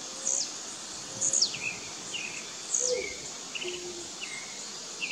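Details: Competing blue-black grassquits (tiziu) in the bush: three piercing high buzzy notes with steep downward tails, answered by softer lower chirps and faint thin tones over a hissing background.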